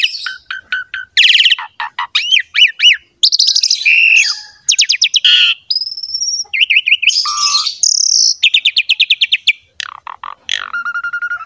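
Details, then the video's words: Captive Asian pied starling (jalak suren) song used as a master recording to coax a quiet bird into singing: a rapid, varied medley of short descending chirps, rising whistled loops, buzzy trills and harsh rattles, closely packed with brief pauses. "MASTERAN BURUNG JALAK SUREN"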